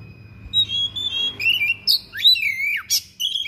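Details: Captive-style singing from a thick-billed oriental magpie-robin bringing out its fill-in phrases: bright whistles, some steady and some bending sharply up then down, delivered in a quick varied series over about three seconds.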